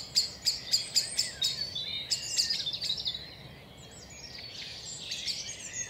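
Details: A common chaffinch alarm-calls with sharp, high chinking notes, about two a second, then scattered bursts that fade over a low rumble. It is watching a grass snake hunting frogs at a woodland pond in the British countryside.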